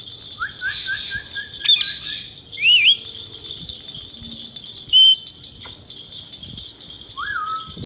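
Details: Talking male Indian ringneck parakeets giving a short series of stepped whistled notes, then brief twisting shrill squawks and a sharp clipped note, ending with a falling whistle, over soft background rustle.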